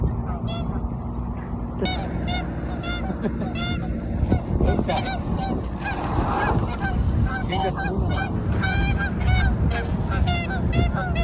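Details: Territorial dispute among Canada geese: a long series of loud nasal honks, often in rapid runs, continuing through the recording over a heavy low background rumble.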